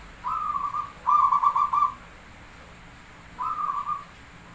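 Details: Actively singing Javanese zebra dove (perkutut Jawa), a lure recording: a soft coo runs straight into a louder, rolling stuttered phrase, then after a long pause a third, quieter cooing phrase follows.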